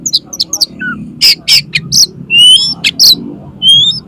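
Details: Loud 'konslet' song of an oriental magpie-robin, played to get another magpie-robin to open its tail: high chirps and harsh buzzy bursts mixed with clear, long whistled notes, delivered in an uneven rapid sequence over a faint low hum.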